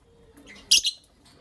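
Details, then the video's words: Lovebirds, a creamino and a lutino opaline, kept as pets and calling in the morning: a single sharp, harsh high-pitched chirp with a quick double-pulsed burst, then quiet room noise. "Lovebird Chirping Sounds"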